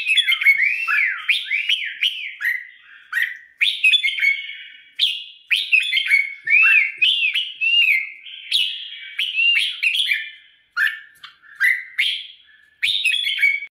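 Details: Red-whiskered bulbul kept and trained for competition singing, pouring out a long run of looping whistled phrases, rising and falling slurs repeated in quick bursts with short gaps between them.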